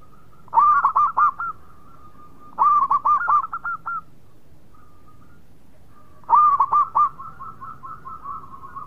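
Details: Local zebra dove sings three bursts of stuttering, bubbly coos, each opening loud and then rolling into softer repeated notes, with pauses of about two seconds between phrases.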